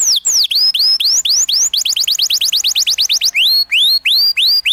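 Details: Canary master song for training young birds to learn ngriwik sounds: curving falling-then-rising whistles, a rapid rattling burst of short high notes, then slower upward-swooping whistled phrases, clear and loud throughout.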